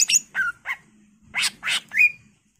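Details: Greater green leafbird in lively full-isian song. Harsh, buzzy squawking notes in short bursts are capped by a bright rising whistle.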